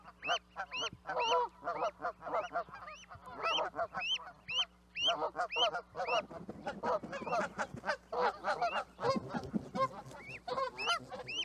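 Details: Canada geese in full chorus, a dense stream of loud nasal honks, many with a sharp upward bend, overlapping from several birds; the calling grows busier and more tangled toward the end.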